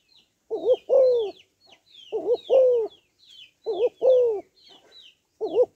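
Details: Calling female spotted dove used to excite males, repeating a phrase of a quavering short coo and a longer descending coo roughly every one and a half seconds, with thin twitters of small birds overhead.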